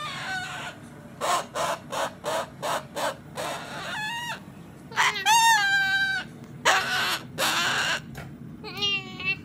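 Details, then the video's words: Cockatoo called a little girl, giving a rapid series of short harsh, raspy bursts, then several louder drawn-out calls with wavering, stacked tones, the last one rising and falling, indoors with a steady low hum. "little girl Cockatoo"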